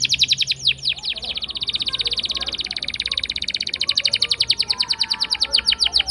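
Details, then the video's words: Continuous canary song for luring silent canaries to sing, a nearly unbroken rolling trill of quick repeated notes with occasional falling whistles woven through. "Pancingan Kenari Gacor Ngeroll panjang!! Buat Kenari Macet Bunyi pun Langsung Respon"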